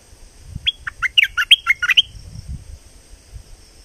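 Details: Streak-eared bulbul, southern Thai type, gives a quick burst of about nine sharp, chirpy notes in under two seconds, bouncing between mid and higher pitches, over a faint steady high hum.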